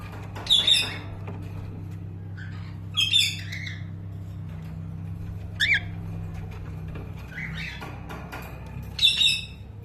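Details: At a cockatiel breeding farm, cockatiels give loud, shrill squawking calls in short bursts every few seconds over a low mechanical hum.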